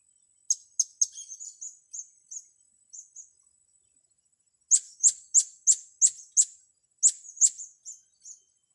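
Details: Young blue-crowned hanging parrots in training. Sharp, high, piercing chirps are given in quick series of about three per second, each note a brief downward flick, with short gaps between groups.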